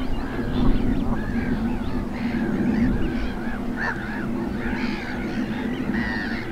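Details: Greylag geese accompanied by their young in Gloucestershire's Cotswold Water Park, 4 May 2022, trade harsh, bending honks at irregular intervals against a constant low background hum.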